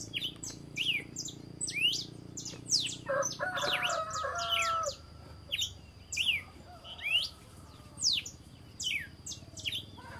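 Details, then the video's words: Red-cowled cardinal singing at dawn: bright, sharp whistled notes, many slurred down or up, in quick irregular runs, with a brief lower mellow phrase midway and a faint low rumble beneath. "O canto do galo-de-campina ao amanhecer"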